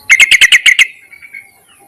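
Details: Male-calling Yellow-vented bulbul, played as a lure: seven fast, bright chirping notes in a tight, even string lasting under a second, fading into a thin tail.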